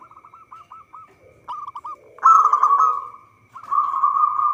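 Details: Local zebra dove singing, recorded as a lure for trapping: a run of short, quick, clipped cooing notes, then a louder, long, vibrating trill-like coo and a further sustained rolling coo.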